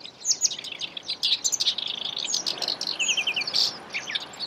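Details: Black-browed reed warbler in the wild, caught on camera taking an insect: a rapid, unbroken chattering song of grating and squeaky notes, including a brief run of four even ticking notes near the end, over a soft, steady hiss.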